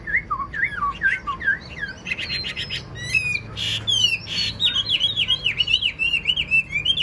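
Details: Caged wild-caught Chinese hwamei with an excellent voice, singing repeated looping whistled notes, then sharp clicks and buzzy bursts, ending with a fast series of up-and-down whistled phrases.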